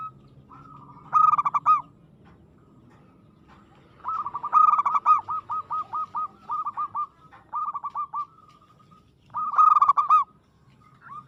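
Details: Aggressive local zebra dove song: loud rattling coo bursts followed by long rows of quick, evenly spaced softer notes, repeated several times against a quiet background.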